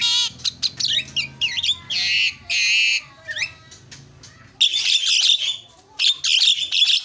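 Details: Javan myna lure to excite silent mynas: loud, harsh squawking phrases with grating buzzy tones, a short pause, then a long energetic stretch of dense, scratchy chatter.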